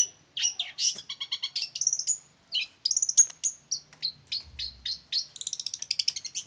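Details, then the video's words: Male long-tailed shrike from Lamongan, singing in full voice; a rapid, varied string of high chirps, buzzy trills and sharp whistled notes in short bursts. "Kicau burung cendet jantan gacor abis"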